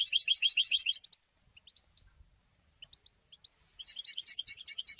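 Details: Goldfinch song, which announces presence and draws females: a fast, tinkling trill opens, followed by sparse thin single notes and a near-silent gap, then a renewed burst of rapid chirping twitters.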